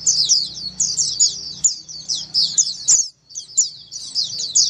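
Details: A crowd of Oriental white-eyes sings in ombyokan style, a sound used to coax other white-eyes to respond. Shrill, rapid chirps chatter steadily, interrupted by a sharp click near three seconds and a brief silence after it.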